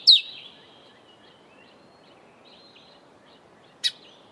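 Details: Grey sunbird (Cyanomitra veroxii), call.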